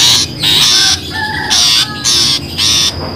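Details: Long-tailed shrike lure sound used for trapping: five harsh, rasping bursts, each about a third of a second, separated by short gaps, over a steady thin high whine in the background.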